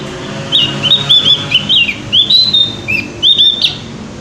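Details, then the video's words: Javan grey-throated white-eye singing freely with a loud, open voice: a continuous chain of bright whistled notes, each sliding up or down, delivered in quick succession with a faint hum behind. "opior jawa gacor ngeplong"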